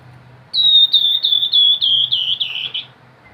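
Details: Grey-headed babbler in full song, 'nyiul' whistled style: one run of about eight clear, looping whistles delivered rapidly. The notes drift gradually lower and end a little hoarser.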